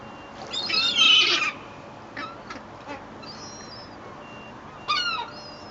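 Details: Rowdy seagulls on a sunny day at Fleetwood Docks, 7/8/2012, being fed bread from a boat's stern deck: one loud, harsh, descending squealing call, then quieter short yelps and a brief final cry.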